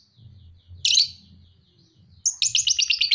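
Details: Pet lovebird aged two and a half months in fighter-style song: one loud harsh chirp, a quiet pause over low background murmur, then a fast stuttering run of bright high notes.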